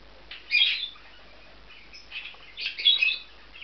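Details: Bonded male budgerigars occupying a nest in an aviary compound give two harsh, buzzy squawking chirps about two seconds apart, with softer scratchy chatter between.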